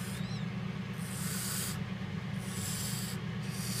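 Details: Indian scops owl nestlings kept in captivity, hatched 12 and 14 May 2014, produce near-continuous harsh, scratchy hisses in overlapping bursts, a brief thin whistle at the start, low droning hum throughout.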